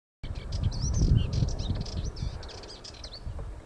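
A Sardinian warbler gives a fast, scratchy warble of short high chattering notes mixed with brief sweeter whistles, over a steady low rumble of wind.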